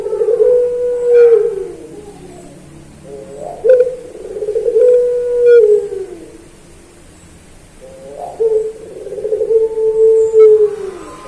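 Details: Puter pelung dove singing in a master recording meant to train other puter pelung. Long, low, steady coos are held about two seconds each and slide down at the end. Three phrases are separated by pauses, with faint clicks between them.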